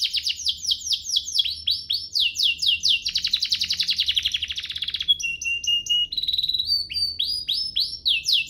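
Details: Rich canary song for training young birds and prompting canaries to sing hard: continuous rapid trills of sweeping, downslurred high notes, changing tempo, then a brief steady whistle and quick chirping phrases to the end.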